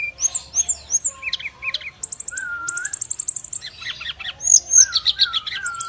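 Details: Brown-chested jungle flycatcher calling to other birds: a loud, varied run of high rapid trills, short downslurred chirps and a steady mid-pitched whistle, with fast clicky bursts repeating several times per second.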